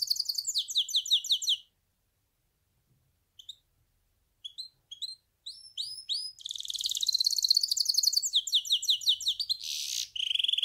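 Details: Goldfinch hybrid delivering a quick trill, a long silence broken by a few isolated chirps, then an extended energetic passage of sweeping whistles, buzzy trills and a harsh burst near the close.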